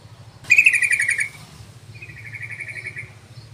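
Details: Yellow-vented bulbul call played as a lure for other bulbuls: an abrupt loud bubbling chatter, followed after a short gap by a softer, quicker run of chattering notes, with low hum beneath.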